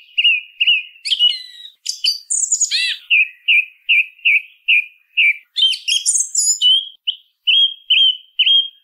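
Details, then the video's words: Song thrush singing, a bird heard through much of the year in towns and countryside: clear whistled phrases, each repeated two to four times, short fluty notes repeated in series alternating with higher twittering and rasping phrases, no other sounds. "SONIDO de ZORZAL COMÚN CANTANDO"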